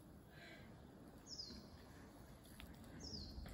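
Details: Common kingfisher at the Zenpukuji River, recorded on a smartphone with a telephoto lens: two thin, high, piercing whistles that slide downward, about 1.7 seconds apart, over steady outdoor background noise.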